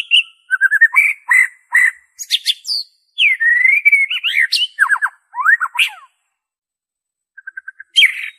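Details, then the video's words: Original white-rumped shama song without inserted imitations, played to draw out captive birds' singing: a dense, varied sequence of rich whistles, rising note trills, slurred sweeps and chattering notes, then a brief quiet and a short note run. "PANCINGAN SUARA MURAI BATU ORIGINAL TANPA ISIAN"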